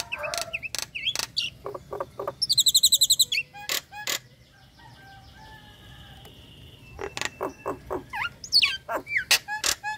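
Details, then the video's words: Female Nias hill myna in breeding condition calling the male in ngekek style: sharp clicks, a rapid buzzy rattle of stacked notes, a brief lull, then a tumbling burst of high whistled slurs and snaps. "Tembakan Jalak Nias Ngekek Bikin Ngiler Kicau Mania"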